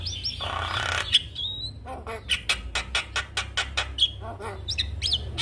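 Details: Javan myna, described as a bird reluctant to sing that responds at once to a lure recording of a lively singing Javan myna; a rapid series of harsh, clicking broadband notes mixed with short high whistles, over low background hum.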